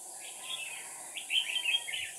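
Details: Red-whiskered bulbul decoy singing to provoke rivals: a soft warbled phrase, then a louder run of bright whistled notes near the end, over continuous hiss.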